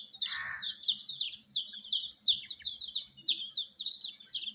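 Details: A brood of coloured baby chickens cheeps nonstop, shrill falling notes crowding together, preceded by a short scuffing rustle.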